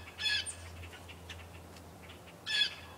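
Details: Birds outdoors at about 8 in the morning: two short, bright chirp bursts about two seconds apart, with a steady low hum beneath.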